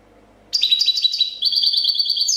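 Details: A European goldfinch, a 2014 champion copia-style singer, pours out a rapid, high, tinkling twitter of liquid notes and buzzy trills after a brief quiet start.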